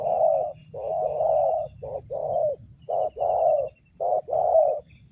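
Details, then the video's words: Spotted dove uttering the 'ngeruk' call, considered fit as a lure: dense run of rough, throaty coos, long notes broken by short ones, nearly continuous over five seconds, a faint high tone behind. "suara ngeruk ini joki sampai batuk batuk // layak dijadikan pikat"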